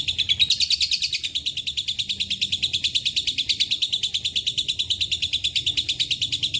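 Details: Lovebird ngekek interlaced with cililin and canary song opens with a loud, higher flourish, then continues as a lengthy, rhythmic run of shrill chattering pulses.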